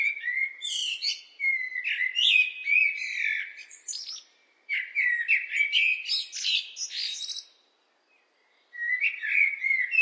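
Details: Blackbird singing: mellow fluted warbles low in pitch, each phrase trailing into a high, squeaky twitter, with short pauses between phrases; no other sounds.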